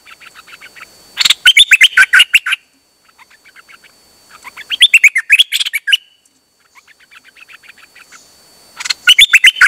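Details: Dok taeng bird, recorded 8 September 2023, singing nonstop: three loud bursts of fast, sharp, repeated chattering notes, each led in by softer quick ticking phrases, with short pauses between bursts.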